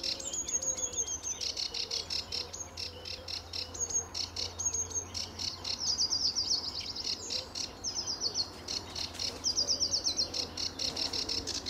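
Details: Lively sedge warbler singing at RSPB Fowlmere on an early July 2013 morning under blue sky and sun: a long, fast, harsh chattering stream of buzzy notes and quick high trills, with soft lower whistles from another bird behind.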